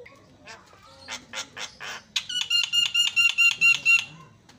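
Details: Javan myna song used as a lure to provoke other mynas: harsh buzzy notes, then a fast run of about ten evenly spaced, bright, rasping chattering notes with a steady whistled tone underneath.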